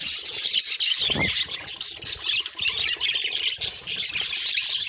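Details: Budgerigars chattering in a dense, unbroken stream of high warbles, chirps and squeaky notes, with one clear downward-sliding call near the start.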